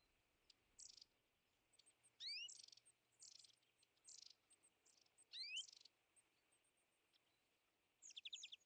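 A European greenfinch gives short, high buzzy notes and twitters in irregular bursts, with two quick rising whistles, over a faint hiss of background noise.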